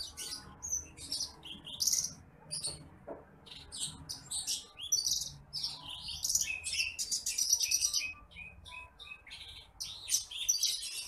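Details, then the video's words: Bush lark (branjangan) song used as masteran training material for other birds, a rice-field bird: rapid high chirps, sharp twittering phrases and short trills packed across the clip, with a few brief whistled notes. "MASTERAN BURUNG BRANJANGAN APUNG (TITIMPLIK)"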